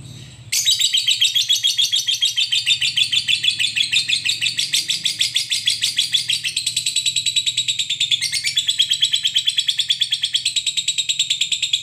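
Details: Lovebird master recording for training other lovebirds to sing, long 'ngekek' style: a sustained high, buzzy chatter of rapid pulses, about three a second, running unbroken for over eleven seconds after a short quiet start, indoors.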